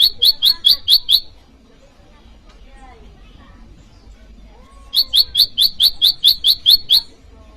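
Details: Bar-winged prinia, called prenjak lumut or ciang-ciang, in varied calls used to lure wild prinias and to tutor caged birds, calling out a rival: a quick burst of six sharp, high chirps, a pause, then about ten more.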